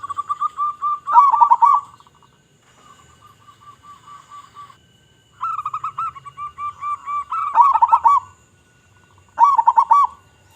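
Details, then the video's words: Indonesian local zebra dove in strong song, used to draw in other zebra doves: loud bubbling bursts alternating with quieter, rapid strings of clipped cooing notes, repeated across the recording. "Perkutut Lokal Gacor Suara Besar Suara Paling di Sukai Burung Perkutut apa Saja"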